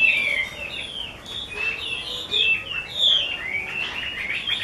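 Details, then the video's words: Caged Chinese hwamei kept by a skilled bird keeper, singing a varied run of clear whistled phrases that slide up and down, in short bursts with brief pauses between them. "Họa mi mơ siêu vip bộ cực đẹp, hót cực hay"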